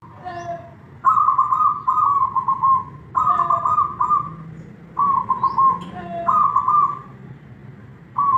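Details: Kept zebra dove performing manggung song: each phrase opens with a soft short note, then rolls into a burry, trilled coo, repeated about every two seconds over a low background hum.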